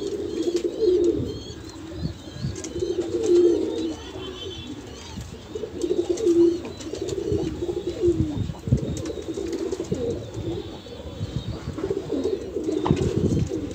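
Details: A flock of kept Banarasi Kalsera pigeons from Allahabad, India, cooing. Deep, throaty coo phrases swell and fade in uneven bursts over a continuous low murmur, with a few soft thumps and a faint chirp or two.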